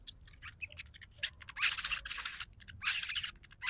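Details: Sogon trotol lure recording used to provoke a silent bird into singing: sharp high chirps and short trills scattered throughout, broken by loud rushing noise bursts and a low background rumble.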